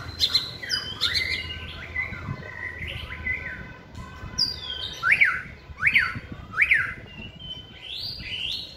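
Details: White-rumped shama in a cage at a singing practice session: varied whistled phrases and slides, then three ringing up-and-down notes in quick succession, ending with high sweeping whistles.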